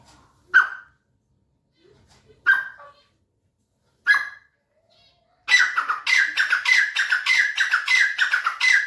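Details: Grey francolin calling: three single harsh notes about two seconds apart, then a loud rapid run of repeated raspy notes, roughly twelve in three seconds, in a quiet setting.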